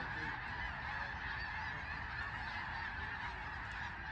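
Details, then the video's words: A large flock of snow geese at Sauvie Island, Oregon, calling continuously: a dense overlapping chorus of nasal, high honks and yelps, with no other sounds standing out. "Snow geese"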